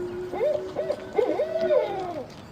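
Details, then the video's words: Barred Owls hooting and calling, behaviour observed for several minutes: a run of wavering, quavering hoots rising and falling over about two seconds, over a steady low hum. "Anybody ever hear a barred owl? I love their sound. Let's listen."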